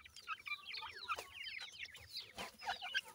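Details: Twenty-eight-day-old francolin (teetar) chicks at feed in a yard, a dense twittering of rapid high peeps, many slurred downward, from several chicks at once.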